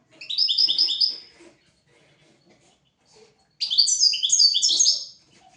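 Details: European goldfinch tutor song for training goldfinches and canaries: a short run of repeated bright chirps, a quiet gap with faint rustling, then a longer, denser, higher twittering phrase.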